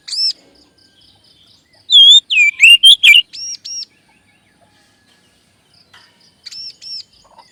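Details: Magpie-robin lure song meant to boost a kept bird's confidence and get it singing: high arched double notes, then a loud burst of varied sliding whistles and chirps, followed by more paired arched notes and faint ticking.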